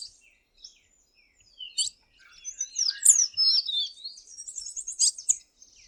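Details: Tanager song of loose, high twittering notes with varied quick sweeps and slurs, building in loudness midway and then trailing off.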